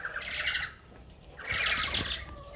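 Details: Lories at a bird quarantine and care enclosure in Sorong, Papua, give two bursts of harsh, grating squawks, each about three-quarters of a second long, separated by a brief pause; faint low rumble underneath.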